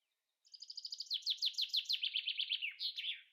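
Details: Male Common Chaffinch singing while the female works: a rapid descending trill of about fifteen bright notes, speeding and dropping in pitch, ending in a short flourish, on a quiet background.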